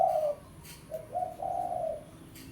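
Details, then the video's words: Pesom-type spotted dove lure call for drawing a rival: one strong coo opens, then a short soft note and a drawn-out mellow coo, all low and hollow, with faint ticking sounds. "Suara Pikat Tekukur Pesom - Tekukur Pikat Suara Memanggil Lawan"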